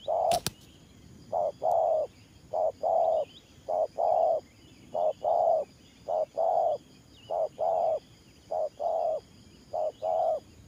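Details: Spotted dove kept as a trapping decoy coos in the 'thổ pha nước gù' manner. Short-long coo pairs run steadily for over ten seconds. A sharp click near the start and faint high chirps from other birds are also heard.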